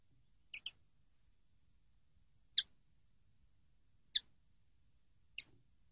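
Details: Common linnet from a training recording of song: four short, separate high chirps, each a quick double-edged note, spaced about one to two seconds apart over a quiet background.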